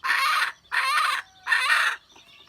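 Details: Wild red junglefowl hen, recorded 27 January 2015, gives three loud, harsh, raspy bursts, each about half a second long and separated by short pauses, over a quiet background.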